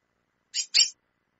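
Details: Chestnut-bellied seed finch female giving a quick double call, two harsh, hissy high notes in close succession.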